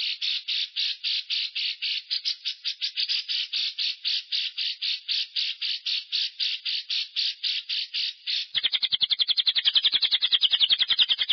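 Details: Lovebird giving a long ngekek trill, used to stimulate stressed or silent lovebirds to sing: rapid, regular high rattling pulses for about eight seconds, then a faster, denser buzzing trill to the end.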